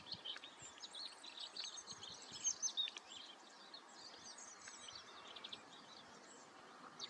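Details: European greenfinch song: a dense, high twittering burst of chirps and short trills that peaks around the third second, then thins into quieter, scattered notes over a steady hiss of background noise.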